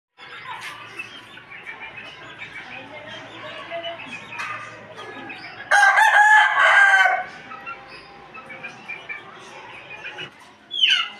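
An Aseel rooster gives one loud, hoarse crow lasting over a second, followed near the end by a brief second burst, over soft background clucking and chatter.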